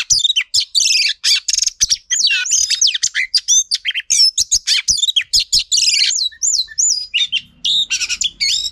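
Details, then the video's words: A female Oriental magpie-robin, used to stir males into song, sings a rapid, nearly unbroken stream of high, varied sweet whistles, slurred notes and scratchy chatter. "Choè than mái kích trống hay nhất"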